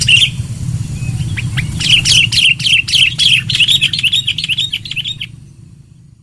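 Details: Loud sooty-headed bulbul lure song: a steady, fast series of bright looping whistles for about five seconds, ending abruptly into near silence, with low rumble early on.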